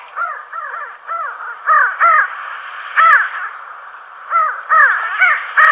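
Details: Pin-tailed sandgrouse, locally called churras, calling in flight over steppe farmland of La Mancha near Tablas de Daimiel and Villarrubia, Spain: a flock gives repeated nasal arched notes, often in quick pairs, in bursts every half second or so.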